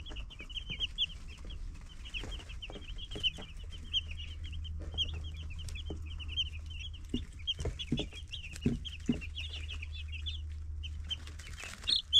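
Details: Baby chicks peep in a constant high chatter of short, bright notes from many birds at once, with occasional soft knocks and a low background hum.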